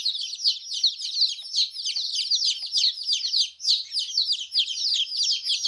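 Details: A group of colourful chicks peeping nonstop, with sharp high cheeps tumbling over one another at roughly three per second and several birds calling at once. The background is quiet.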